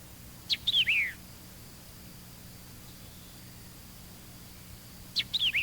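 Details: White-eyed vireo giving a shortened song with the sharp initial chick phrase: a quick burst of sharp descending slurred notes, repeated after about four seconds of quiet, over faint tape hum.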